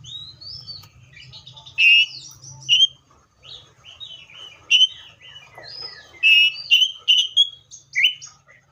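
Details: Seychelles magpie-robin in varied song: quick sequences of short whistled and warbled notes, some loud and upslurred, with quieter chatter between, over a low hum early on.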